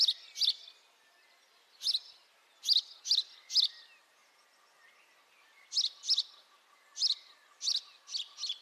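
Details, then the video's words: House sparrow chirps from a high-definition microphone recording, sharp notes in short clusters separated by a quiet pause, over a faint continuous hum. "House sparrow call, beautiful house sparrow sound [High definition sparrow chirping]"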